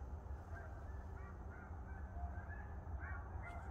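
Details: A migrating flock of snow geese in Pennsylvania, USA, gives many overlapping, short, nasal honks, steady and continuous, over a heavy low rumble of wind.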